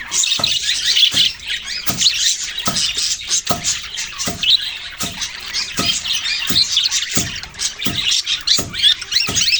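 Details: Budgerigar chatter of high chirps and squawks runs throughout, cut through by frequent sharp tapping clicks at irregular intervals.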